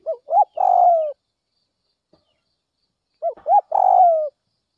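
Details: Spotted dove, a north-western Vietnamese lure bird, at dawn giving two quick rising coos followed by a long buzzy falling coo, the phrase repeated twice about three seconds apart.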